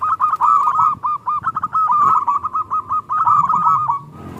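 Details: Local zebra dove in the small "klung" song style, used as a lure to provoke silent doves into singing: a fast run of short, clipped coos in one steady pitch band, broken by brief pauses, with faint low background rumble.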